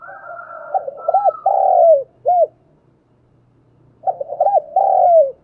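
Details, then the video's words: Decoy spotted dove cooing to stimulate young birds to sing. It repeats a low phrase twice with a pause between, each phrase holding quick stuttered coos, a long falling coo and a short closing coo. A faint higher tone is heard at the start. "Tiếng chim cu gáy kích bổi nhanh nổi hiệu quả, cu gáy mồi luyện bổi nhanh gáy và hay nhất"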